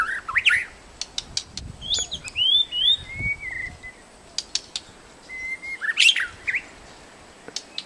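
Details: White-rumped shama in a protected forest giving scattered sharp clicks and short whistled phrases, including clear level whistles and a rising slurred note, with quiet gaps between bursts.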